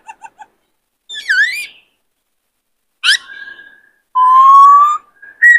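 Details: A captive male White-cheeked laughingthrush, stirred by a new bird, sings and dances. Soft pips lead into a swooping whistle, a sharp upslurred note with a level tail, then a long, rising, pure whistle.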